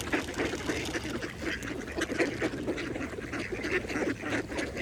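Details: Feeding mallard ducks on a pond keep up a rapid, uneven stream of short nasal quacks, roughly four a second, blended with busy splashing and dabbling in the shallow water.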